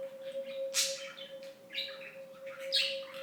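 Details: Pet budgerigar, 2007 to 2016, talker, delivering a sharp bright squeak followed by rapid twittering chatter and another loud peak near the end, with a constant humming tone behind.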